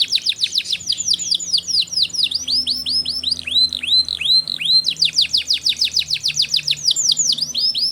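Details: Canary in full song, suited to stimulating young canaries; continuous fast series of clear, high, arching whistled notes in repeated runs, with a faint low hum underneath.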